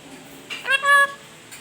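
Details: Black-capped lory, a clever talking bird, giving one nasal, meow-like call that is rich in harmonics and lasts about half a second, in a quiet room with a person nearby saying hello.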